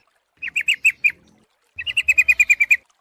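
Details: Yellow-vented bulbul lure sound: a short string of five clipped, ringing notes, a pause, then a faster run of about ten even chatter notes.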